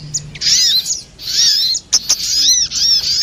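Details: Short burst of a spiderhunter, known locally as sogok ontong, from a trapping lure: two high, squeaky chattering phrases with arched slurred notes, split by a brief gap with a click.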